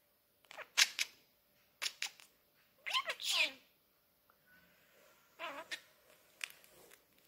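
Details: Male pet budgerigar, hatched 15 October, talking since two months old in Bosnian and English with phrases like "hello baby" and "sweetie", chattering in quick, high, scratchy bursts that imitate human words.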